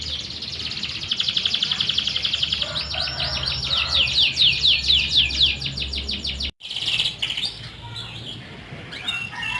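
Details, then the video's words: Canary song played as a lure to prompt silent young canaries to sing: fast, bright, rattling trills that run in quick repeated notes for about six seconds, then a brief cut and more chirping phrases. "suara burung kenari||pancingan burung kenari paud kenari macet bunyi"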